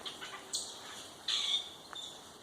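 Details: Common Grackles in trees in Michigan's Upper Peninsula, knocking down acorns and identified by an app (it also suggested blue jay), give two harsh, scratchy, high rasping squawks about three-quarters of a second apart, then a faint tick.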